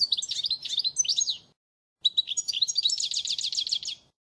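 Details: European goldfinch giving a faultless model song used to tutor young birds (2016 training). Two bursts of high, tinkling twitters with slurred notes, the second ending in a fast pulsed trill, separated by a short silence.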